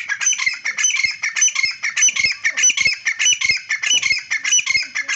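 A grey francolin calls in a loud, harsh, shrill series of grating notes, repeated rapidly without pause in a ringing, rhythmic chant.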